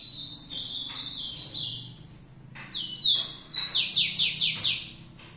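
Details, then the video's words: ['Song of a fibrado rufous-collared sparrow: thin whistled notes and downslurs, a short pause, then a loud series of fast repeated falling trill notes, with a faint low hum behind.'] "Tico tico fibrado"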